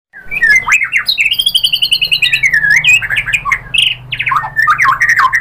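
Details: White-rumped shama song used to provoke other birds into singing: a rich, continuous run of varied whistles, slurred notes and rapid chattering phrases, loud and unbroken throughout.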